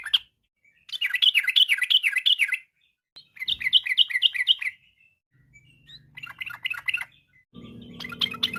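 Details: Yellow-vented bulbul singing in the afternoon, a lure to encourage other birds to sing. Several bursts of quick, bubbly warbled notes come in short phrases with gaps, over a faint low hum near the end.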